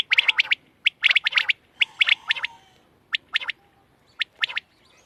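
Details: Loud, clear quail chirps in fast groups of three or four, thinning to single sharp notes with short gaps, on a quiet backdrop.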